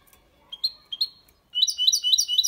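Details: A goldfinch and canary hybrid delivers clean Málaga-copy song for stimulating females and tutoring young birds. A couple of rising chirps open the phrase, then dense high-pitched twittering runs from the midpoint onward.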